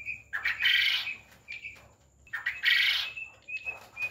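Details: Quail on a farm giving two long, rough, raspy call bursts, separated by soft short peeps and a quieter pause.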